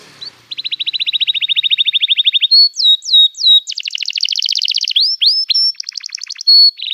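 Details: Energetic long canary song used as a lure for young learners: an even, sustained chirping trill, swooping slurred whistles, a dense rolling trill and rising sweeps.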